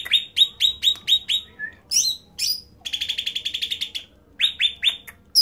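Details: Loud-singing cucak ranting (bulbul): a series of sharp downslurred chirps, then high upsweeps and a fast stuttering trill of clipped notes, ending in more descending chirps with short gaps.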